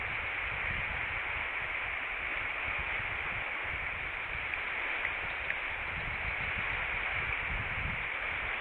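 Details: Steady broadband hiss from a nest camera microphone at Pelican Harbor on 25 August 2013, with a few faint clicks.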